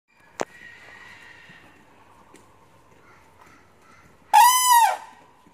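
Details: Common crane (Grus grus) at a zoo, 14 February 2020, gives one loud, rolling trumpet note that rises and falls, lasting about half a second, after a quiet stretch with a single sharp click.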